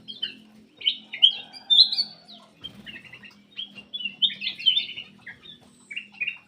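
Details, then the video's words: Black-crested bulbul in energetic song, a lure for birds that stay quiet; quick bubbling, slurred phrases repeated in short bursts over a faint low hum. "PANCINGAN BURUNG MALAS BUNYI CUCAK EMAS \ KUTILANG EMAS GACOR"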